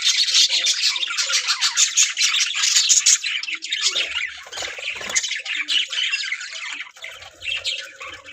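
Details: Many budgerigars in a breeding colony chatter loudly and continuously, a rasping, buzzy mix of squawks and warbles that starts strongest and softens slightly, with faint low thumps later.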